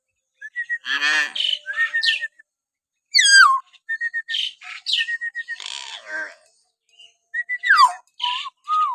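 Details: Varied vocal string from a common hill myna, meant to provoke caged mynas into song: rapid harmonic squawks, steep descending whistled sweeps and short level whistles strung together over nine seconds with brief gaps.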